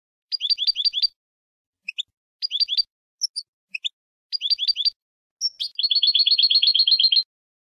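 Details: European goldfinch song for training birds for contest singing: bursts of rapid repeated high chirps, some falling trills, a buzzy rattling roll at the end, separated by short silences.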